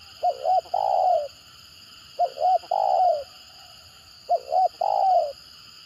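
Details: Spotted dove performing its stammering 'gagap' coo: three regular phrases about two seconds apart, each with two quick choppy notes leading into a drawn-out falling coo, over a constant hum.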